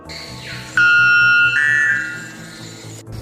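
White bellbird giving a sudden, deafening ringing note that jumps to a second, higher metallic tone before fading, over soft background music.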